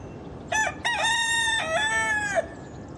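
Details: A single rooster crow, long and strident, broken into short opening syllables, then a drawn-out level note that dips briefly and resumes before falling away, over faint steady background hiss.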